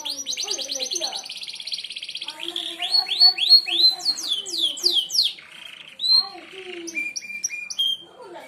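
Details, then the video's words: Merlok canary with sharp-shot song for mastering birds: a rapid rattling trill, then loud swooping downslurs, followed by scattered short high chips and whistles. "tembakan tajam kenari merlok"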